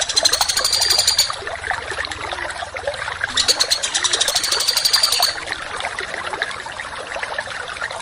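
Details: Training song for contest songbirds, in the harsh 'tembakan' style: two bursts of rapid, buzzy, very high notes, each a second or two long, over a steady trickling of water.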